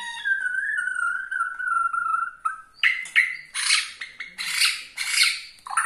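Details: White-rumped shama of the Borneo type, whose song is said to provoke rival shamas, opens with a long steady whistle, then shifts to bursts of harsh, scratchy squawking notes repeated in quick succession.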